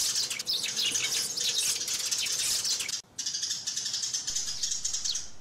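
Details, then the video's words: Many high sparrow chirps pour out in a rapid, overlapping chatter as the birds call and fight, cut by a short silence at about three seconds before the chattering returns. "Tiếng Chim Sẻ Gọi Về Và Nhảy - Tiếng Sẻ Cắn Nhau"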